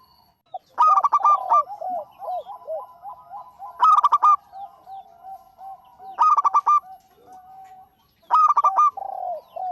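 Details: Local zebra dove giving loud, staccato bursts of rich notes at irregular two- to three-second gaps, with a continuous bed of soft, bubbling low coos between.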